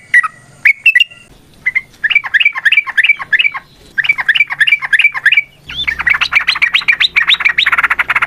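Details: Yellow-vented bulbul giving a long fighting song meant to provoke other birds to answer: bubbly, quickly repeated downslurred notes in bursts, ending in a dense, continuous chattering run.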